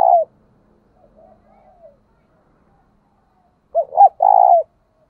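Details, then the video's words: Spotted dove, a decoy bird, giving the calling coo style known as gáy gọi: a loud low coo at the start, soft murmured notes, then a clipped double note and a long rolling coo near the end. The surroundings are silent. "Tiếng cu gáy cực hay THÚC và GÁY GỌI mới nhất, mở là gáy"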